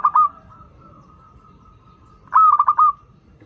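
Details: Local zebra dove singing sweetly, used to prompt doves learning to sing. A clipped coo ends right at the start; after a quiet pause comes one full bubbling phrase of about five quick, mellow pulsed notes.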